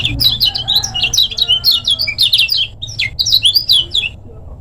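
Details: Lemon-bellied white-eye from Lombok, recorded as a training master: a steady, hurried stream of high, sharp, slurred chirps and twitters, almost unbroken, easing slightly at the end.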